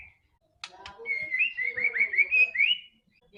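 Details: White-rumped shama song used as a lure to get a quiet bird to start singing: a short sharp note, then a run of fluid whistled phrases near one pitch, sliding up and down, ending in a rising flourish.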